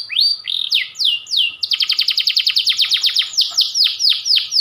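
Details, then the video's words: Panda canary song used to train young canaries to sing. Rising slurred whistles give way to a fast, even run of clipped notes and then to longer downswept notes, with a clean, quiet background. "Kicau Kenari panda ngotot nembak panjang"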